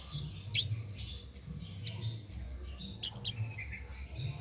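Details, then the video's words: A cit keres in full ngalas song, meant as master material for training songbirds: quick, high, piercing chirps and short downslurred whistles in a busy stream, with a low droning hum beneath. "Cit Keres Nembak Buat Masteran"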